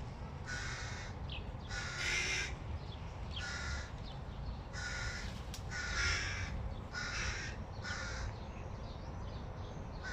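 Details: Hooded crow nestlings clamour for food when the father appears with it, giving a rapid series of about eight hoarse, grating calls in quick bursts, some overlapping, against a constant low-pitched background hum.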